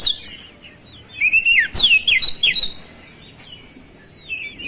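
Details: Oriental magpie-robin in lively song with flowerpecker-like mimicry: isolated high chirps, then a cluster of quick sharp downslurred notes and whistles, with faint twittering before and after.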